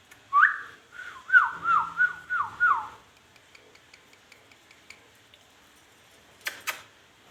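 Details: Pet talking ringneck parrot crying badly: a rising whistled note followed by a run of quick wavering, dipping whistles lasting about two seconds, then quiet with a couple of sharp knocks.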